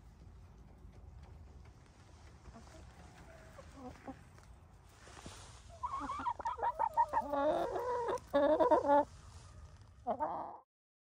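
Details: Domestic New Hampshire Red hen giving a run of throaty, nasal clucks and short squawky notes, starting after several quiet seconds of low background hum, growing louder toward the end.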